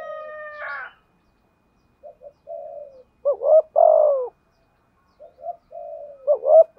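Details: Decoy spotted dove kept for luring, giving the urging 'thúc gù' coo in the 'giọng thổ' voice style: a brief harmonic note at the start, then soft short coos and louder throaty two-part coos falling in pitch, with silent pauses between phrases.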